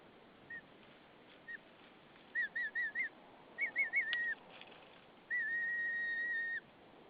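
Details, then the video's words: Female white-tailed eagle at her nest in Saunja, Estonia, on 20 March 2013 at 18:13, calling softly to her mate as he arrives with hay; thin whistled notes, a quick wavering series, then one long steady whistle. "Linda makes sweet noises to Sulev."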